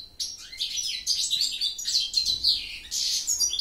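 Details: Bright, tinkling goldfinch song made of quick-fire chirps, buzzy trills and sliding whistles, delivered in one continuous rush.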